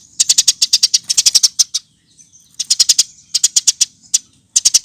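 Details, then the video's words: Singing-lure recording of a Eurasian tree sparrow: a long rattle of quick, shrill chirps, a one-second pause, then more bursts of four to six chirps, all high and evenly spaced. "Kompilasi Masteran Burung Gereja Gacor"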